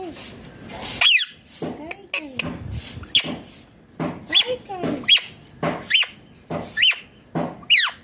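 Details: Indian ringneck parrot chattering in a rapid run of short, piercing high chirps roughly every second, interspersed with softer mumbled notes in a small room.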